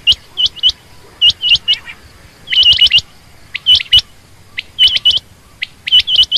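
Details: Female quail calling: short, sharp, high chirps, mostly in quick pairs or triplets, delivered in uneven bursts with brief silences between them over a quiet background.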